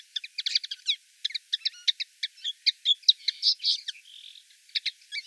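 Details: Song of a common linnet in Wittlich town, Germany, 2018: a loose series of sharp chirps and twitters, about two per second, with a brief buzzy note midway.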